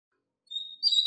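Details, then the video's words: Thin drawn-out whistle rising into a bright, ringing burst of notes, a double-collared seedeater teaching song meant for young birds to learn. "Encarte Canto Forte Para Coleiro e Papacapim"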